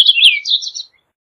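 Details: Purple finch song: a quick, rich warble of tumbling, slurred notes lasting under a second, rising and falling in a bright tangle, with no other sounds.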